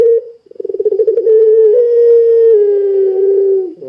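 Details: Lure call of a busily calling puter pelung dove to prompt others to join in: a short note, a rapid rolling purr, then one long, smooth, sustained low coo that sinks slightly at the end.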